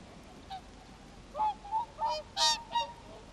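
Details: About sixty swans flocking in a rice field in front of a home, about 2 km from the sea in Japan, on January 3, 2011: five loud, nasal, trumpeting honks in quick succession after a faint opening note.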